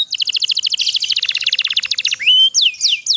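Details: Canary master song meant to prompt sluggish canaries to sing: a fast rolling trill of short high notes, followed by a few separate rising and falling whistles.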